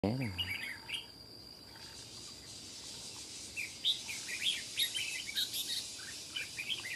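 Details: Old wild red-whiskered bulbul with a loud, sharp voice, aggressively challenging a decoy bird: after brief speech, clear whistled phrases begin midway, repeated in quick bursts with a steady high insect-like tone behind.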